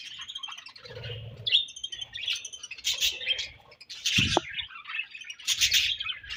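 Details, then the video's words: Feeding budgerigars exchanging food chatter in quick high chirps and warbled bursts, broken by loud scratchy squawks, with occasional low thumps and rustles. "Budgies Chirping Sounds"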